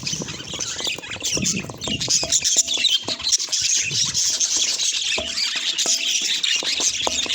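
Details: Several pet budgies chirping together in a bright, unbroken warbling chatter of high twitters and scratchy notes, occasional short clicks underneath and louder bursts midway.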